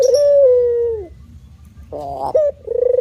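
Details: Long, smooth, downward-sliding coo from a male spotted dove in manggung cooing, then a pause, then a buzzy wavering phrase that runs into a fresh coo.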